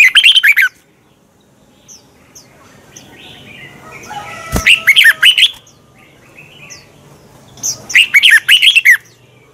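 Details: Morning song of a red-whiskered bulbul intended to incite other bulbuls to sing in contests; three bursts of fast, twisting whistled phrases, with a sharp click and scattered soft chirps in the quieter stretch between.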